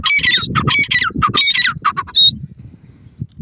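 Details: Grey francolin, male and female, calling: loud, harsh, ringing squawks in quick rhythmic bursts with rich overtones, about five phrases over three seconds, closing on a short higher tonal note before fading to quiet rural background.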